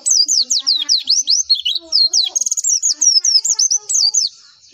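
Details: Javan white-eye song, meant to prompt other white-eyes to respond: a continuous rush of very high, sweet, warbling notes that dart up and down without pause, with a brief buzzy trill midway, ending abruptly.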